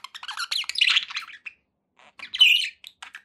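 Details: Brief budgerigar chatter: a burst of squeaky, buzzy chirps, a short silence, then another quick rising squawk and scattered twitters from the pet birds.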